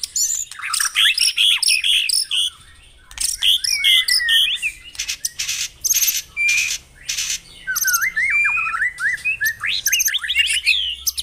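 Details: White-rumped shama song meant to prompt caged birds into singing: bursts of dense, scratchy, high chattering phrases separated by brief pauses, mixed with sharp clicks and short whistled notes.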